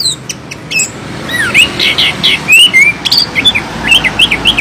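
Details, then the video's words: Chestnut-capped thrush, known locally as anis kembang, of the 'mulut lebar' type, described as loud; clear whistled phrases that slur up and down, given in quick, irregular bursts, with several sharp high chirps near the start. "burung anis kembang mulut lebar loud noise bird"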